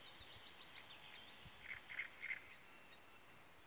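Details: A great reed warbler (Acrocephalus arundinaceus) sings in reeds at Nygård, Gamleby, Sweden: a run of quick high chattering notes, then three loud, harsh croaking notes about a third of a second apart, over steady background noise.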